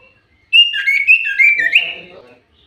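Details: Lure song of a lively common iora: a continuous string of clear whistled notes sliding up and down, ending in a rising whistle with a faint low murmur underneath.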